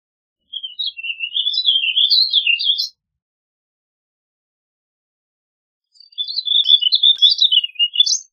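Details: Warbling vireo song heard twice: each phrase a quick, twittering string of high slurred notes lasting a little over two seconds, with a long quiet gap between.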